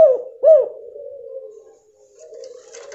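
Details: Female spotted dove calling to prompt a male to start singing; two quick, arched coo notes, then a fading low hum and faint rustling.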